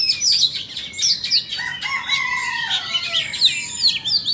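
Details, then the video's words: Two Oriental magpie-robins, one Vietnamese and one Indonesian, in a singing duel: rich, varied high whistles and buzzy notes tumble together, with lower clear whistled slurs entering midway and several overlapping phrases. "Chòe than VN đấu với Chòe Than Indo"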